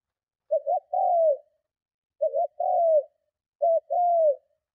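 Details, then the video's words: Strong spotted dove coos used to lure and provoke rival doves: three phrases, each a quick double note leading into a drawn-out falling coo, spaced about one and a half seconds apart in otherwise silent surroundings. "Tiếng Chim Cu Gáy Gù Kích Bổi Cực Mạnh"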